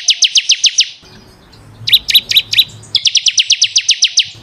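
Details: Bar-winged prinia song used as a training recording for caged birds. A rapid run of sharp, high, evenly spaced notes lasts about a second, then comes a short quieter burst, then another fast run of the same bright notes.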